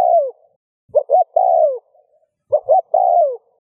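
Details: Spotted dove coo intended to stimulate other doves to answer. A falling coo is followed by two full phrases, each of two brief notes and a long drooping coo.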